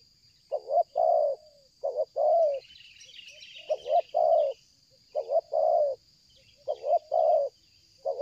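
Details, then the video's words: Spotted dove used for luring, calling nonstop in the 'selang gagap' stuttering coo style; clipped double notes run into a drawn-out warm coo, repeated in regular phrases, faint chirps from another bird midway, constant high whine behind. "tekukur ini kuat nguku dari jauh mendekat nguku takberhenti,penguku selang gagap"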